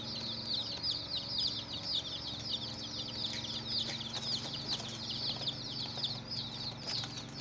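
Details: Chicks of a domestic hen chirping in a steady chorus of thin, high peeps, many overlapping and repeated several times a second, with a low steady hum underneath.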